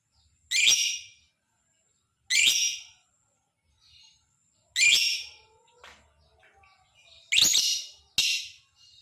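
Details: Lovebird calls used to provoke other lovebirds into singing: sharp, harsh high-pitched squawks spaced roughly two seconds apart, the last two in quick succession, with faint soft sounds between them.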